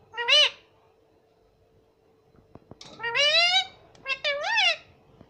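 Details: A pet ringneck parrot in a quiet room repeats "mummy" in high, nasal, slightly rising syllables, one alone then three more after a pause, with a few soft clicks.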